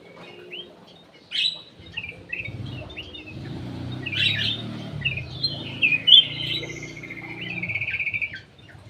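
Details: Golden bulbul (cucak emas, kutilang emas) kept in an aviary, its song used as a lure: bright whistled phrases and fluty notes, some sliding or trilled, sung in loose bursts over a soft low hum.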